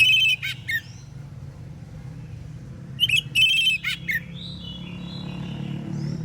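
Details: Morning singing of an Oriental magpie-robin, aimed at getting other magpie-robins to reply. Twice it delivers sharp whistled notes, a sustained high whistle, buzzy rasps and a downward slur. Softer bird calls and a low hum continue between phrases.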